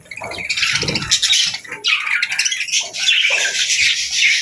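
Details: Happy budgerigars trading bright, squeaky chirps and rising warbled notes in quick overlapping bursts, with brief low sounds between phrases.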